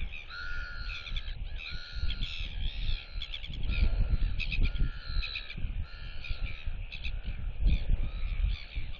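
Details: Royal albatross chick whistling while displaying to neighbouring chicks, which clack at it. Long, level, harmonic whistles repeat every second or two, broken by bursts of dry bill clacking, with gusty wind rumbling underneath.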